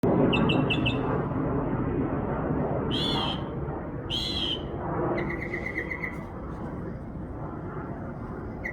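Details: Bird twittering in a backyard, a bird said to make more than 20 different sounds: short harmonic chirps in a quick burst, then two rough, buzzy notes and a run of fast, even twitters, over steady low rumbling background noise.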